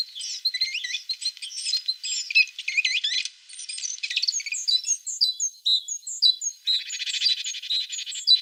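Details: High, varied twittering from a tit in song, packed with quick upslurred and looping notes, thinning to spaced chirps before a short buzzy burst near the end.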